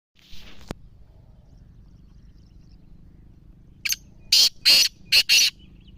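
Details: Black francolin (kala teetar) calling: a brief faint note, a pause, then a loud harsh burst of four to five grating, broadband notes in quick succession near the end, over a low steady background hum.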